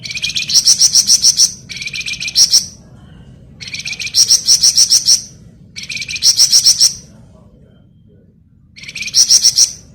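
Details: Flamboyan bird singing actively in ngebren style, used as masteran tutor song: bursts of rapid high, dense chirps in quick runs of about six notes, each burst preceded by a brief lower buzzy note, repeated every couple of seconds with pauses between.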